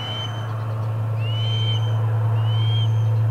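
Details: Osprey at the Charlo nest on 25 August 2020, during the first food delivery of the day: three thin, drawn-out whistles, each rising then easing off, spaced about a second apart over a loud, steady low hum.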